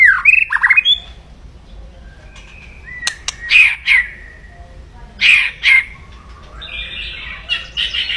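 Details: White-rumped shama in agressive, loud kretekan mode to raise a rival's temper: harsh crackling bursts, some clustered in pairs, interspersed with brief whistles and a sharp click, with a rasping trill at the end.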